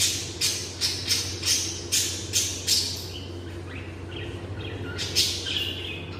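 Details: Pet lovebirds give shrill, scratchy chirps in quick bursts, about two or three a second, then thinner whistled notes, with a steady low hum underneath.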